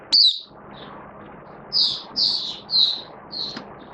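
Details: Caged oriental white-eye in build-up form, recorded 19 September 2022, giving a few separate high, thin, slightly buzzy notes roughly every half second over a steady low background hum.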